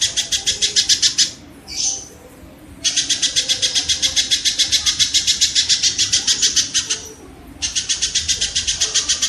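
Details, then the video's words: Harsh, scratchy repeated notes from a kingfisher, delivered fast and evenly in extended runs, with two short gaps and a brief swooping squeal; the recording is used as tutor audio for songbirds. "suara burung tengkek"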